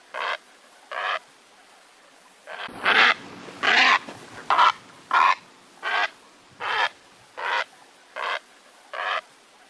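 A heron gives about twelve harsh, rasping squawks, each under half a second, at an uneven pace of roughly one per second, with faint background hiss.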